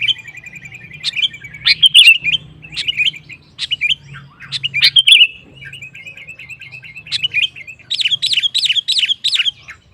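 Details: Kutilang, the sooty-headed bulbul, in energetic song meant to stir other males to sing back; sharp chirps and warbled notes over a steady trill, ending in a fast run of repeated bright notes, with a low background hum.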